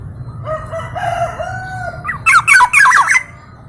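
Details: Black-naped oriole, a local East Javan golden oriole with many song variations: a drawn-out, slightly wavering mid-pitched whistle, then a quick burst of loud, harsh, twisting notes over about a second.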